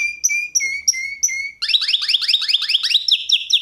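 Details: Canary song played as a singing lesson for canaries: a row of clear whistled notes near one pitch, each with a short upward flick, then a fast run of rapid rising chirps repeated several times a second.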